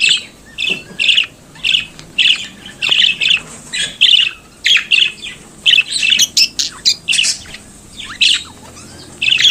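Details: Budgerigar kept as a pet, singing and chattering: a long run of short, scratchy chirps and squawks in rapid clusters, each burst brief and high, with brief gaps throughout.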